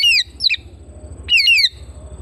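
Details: Home-kept Oriental magpie-robin giving two quick bursts of bright, downward-sliding whistles rich in overtones, about a second apart, with a faint low hum beneath.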